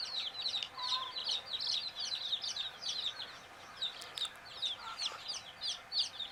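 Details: Sleepy baby chicks in a group, peeping in a constant chorus of high, short descending notes, roughly two or three per second, with a faint tap midway.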